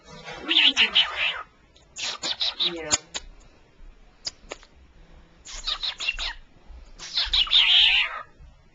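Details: A female pet cockatiel chatters in bright, scratchy bursts of mimicked talking babble, with human voices nearby.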